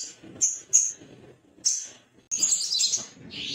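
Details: Agitated male little spiderhunter calling for a rival: shrill high chips, a few single notes, then a denser burst of harsh, rapid, high twittering near the end over faint low background noise.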